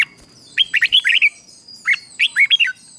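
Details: Red-whiskered bulbul singing in a morning training session meant to provoke wild birds: two short warbled phrases of looping, liquid whistled notes separated by a brief pause.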